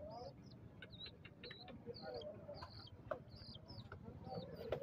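Young black francolins give thin, high, slurred chirps about twice a second, with scattered clicks and a low background rumble.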